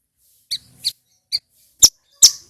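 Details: Male bar-winged prinia giving a few loud, high, sharp notes spaced about half a second apart, the last two stronger and harsher.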